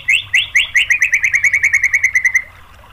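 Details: White-rumped shama song to provoke other shamas into singing: a few loud upslurred notes accelerating into a quick trill that slowly drops in pitch and stops after two and a half seconds.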